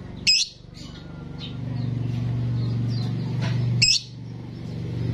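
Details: Starling calls meant to attract starlings: two piercing high squeaky notes roughly three and a half seconds apart, softer chirps in between, over a strong low droning engine-like rumble.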